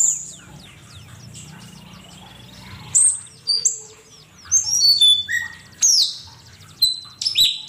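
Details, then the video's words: For training songbirds, an Asian pied starling delivers sharp high whistles and descending chirps, quiet at first, then several loud separated bursts of clear notes. "Suara burung cucak keling masteran jitu 100% camperling"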